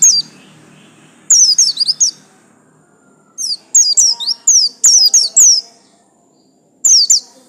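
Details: Buxtomi white-eye, yellow-stripe form, delivering clusters of shrill, high descending chirps in rapid groups separated by brief silences, repeated through the recording.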